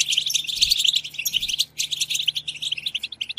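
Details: Several European goldfinches chirp together in a group 'batbata' twitter meant to set off other goldfinches' singing. Bright, piercing chirps and short trills crowd the first second, then the twittering thins slightly, with low thuds twice.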